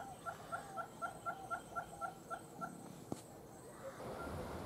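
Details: Western red-billed hornbill recorded in the Gambia, giving rapid clucking notes about four a second that fade out, followed by a sharp click and rising rushing noise.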